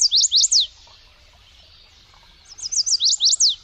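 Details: Bird singing: two bursts of quick, high, descending whistled sweeps, each about half a second long, repeated in tight series and separated by a short pause, over a faint low background hum.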